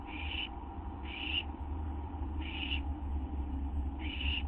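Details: Owl ready for a treat of gopher or vole at 12:38 AM, September 8, 2011, gives four rasping, hissy bursts of about half a second at uneven gaps over a constant low background drone.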